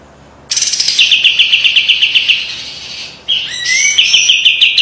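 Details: White-eye giving a sharp, spicy training song: a rapid even trill of high notes, a pause, then a rising whistle leading into more fast chips.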